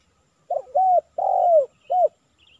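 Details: Tekukur, the spotted dove, heard at a decoy trapping session in Silaban village, Lintong ni Huta, Indonesia, aimed at a 'kuk 3' male; four mellow low coos: short, drawn-out, longest falling note, then a brief final coo. Faint distant chirps.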